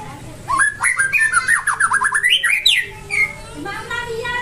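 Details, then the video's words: White-rumped shama of the Nias form, murai batu Nias, singing: a rapid run of rich whistled notes and sharp upward sweeps, loud and varied, ending in a slurred whistle, with faint background chatter. "Murai Batu Nias"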